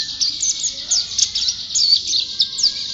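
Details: Pleci, a white-eye, singing energetically as a contest champion: bright, high twittering with quick rising and falling slurs in a lively, jumbled stream.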